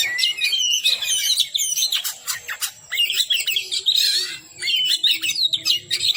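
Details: Oriental magpie-robin (kacer) in lively, loud full song from a long tutor recording meant to prompt quiet birds to sing: rapid varied whistles and warbled phrases, bursts of sharp clicks near the two-second mark.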